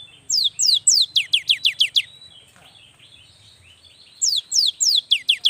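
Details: Loud, close cinereous tit song meant to trigger lazy young birds to sing: two fast runs of sharply falling, ringing whistled notes, about eight per run, separated by a quiet gap, with a soft low hum beneath.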